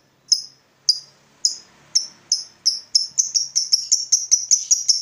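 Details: Lovebird ngekek call, used as a lure for other lovebirds: a few sharp, spaced high chips that quicken into a rapid, accelerating series of clipped buzzy notes, clean background.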